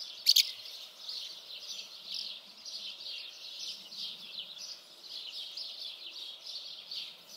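House martins twitter in a steady, overlapping chorus of dry, high chirrups, with one sharp click near the start.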